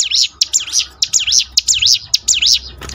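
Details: Prinia singing in a recording meant to train birds to sing more often: loud, high, sharply swooping whistled notes in a rapid regular series, around seven in three seconds, with a faint low hum.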